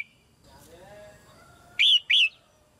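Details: A caged female red-whiskered bulbul sings so that young birds will sing more; after faint low tones, one loud two-part phrase near the end, a quick rising note and a descending whistle.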